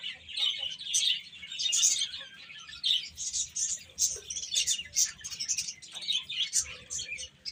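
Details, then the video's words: Baby hens chirp busily as they eat and play: rapid, high, overlapping tweets rising and falling in loudness, with brief quieter gaps between bursts. "Cute Chicks Eating and Playing | Baby Hen Chirping Sounds"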